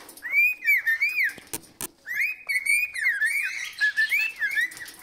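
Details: Pet parrot whistling in a happy mood: clear, warbling whistled phrases that rise and fall, running in two long bursts separated by a brief pause, with a pair of sharp clicks between them.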